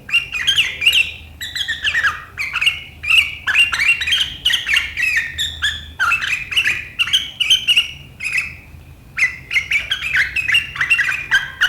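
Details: Sooty-headed bulbul (kutilang) in vigorous riwikan style, recorded 7 April 2023: sharp, dense chattering phrases of quick squeaky notes, delivered almost without pause over twelve seconds, a faint low hum underneath.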